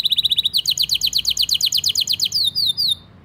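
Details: Canary tutor song for young birds and birds that have stopped singing: brisk trill of short notes moves into a long series of falling slurred notes about seven per second, ending in a few drawn-out downslurs.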